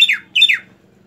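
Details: Greater green leafbird, kept for tutoring other birds, giving two quick, harsh downslurred notes in succession.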